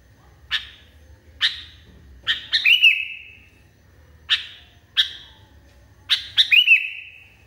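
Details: Sooty-headed bulbul in a worked-up state: single crisp chirps spaced about a second apart, twice building into a rapid triple burst that ends in a sustained, ringing whistled tone.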